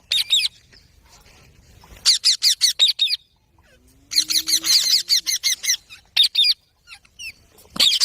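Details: Green parrot calling in rapid runs of sharp, harsh screeches, six or seven in quick succession, then pauses and another burst; a faint low hum underneath.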